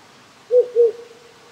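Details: Wild owl at night in rural Japan, one of the owls living on three small hills near a house since spring. It gives a soft double hoot, two low notes close together, with a gentle stream hiss behind.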